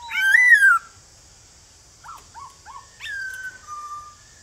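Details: Male white-cheeked laughingthrush calling to newly caught birds in the morning, forest-style song. One loud arched whistle opens, then after a pause come several soft short dipping notes and a faint level whistle; a constant high hiss stays in the background.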